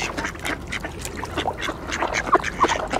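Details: Crowded mallards quack for position while feeding on bird seed at an icy water hole, joined by Eurasian coots and swans; rapid, irregular nasal quacks overlap, with a few short higher tonal notes near the end.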